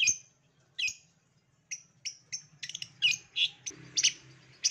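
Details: Lure song of a long-tailed shrike for lazy singers: scattered high whistles and rasping notes that crowd into a busy, scratchy jumble toward the end, with a faint low hum behind.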